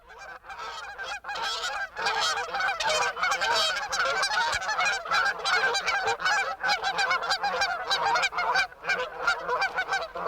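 A flock of Canada geese honking nonstop, loud nasal honks overlapping at a fast, irregular pace of about three per second, with no other sounds standing out.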